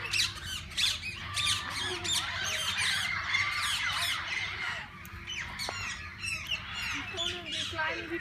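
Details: Many parakeets in a walk-in aviary where they are fed and handled, calling in a dense, chattering chorus of sharp chirps and squawks that eases slightly toward the end.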